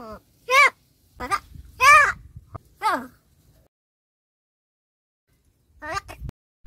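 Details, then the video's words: Crow that talks in Marathi, Palghar, giving a run of four harsh, hoarse speech-like calls about half a second apart, then a long silence before two brief clipped notes near the end. "बोलणारा कावळा"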